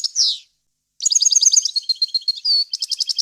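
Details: European goldfinch tutor song, fault-free and varied, for teaching chicks and hybrids. A falling buzzy note and a short gap lead into fast, bright twittering, a drawn-out whistled note, then clipped rhythmic chips.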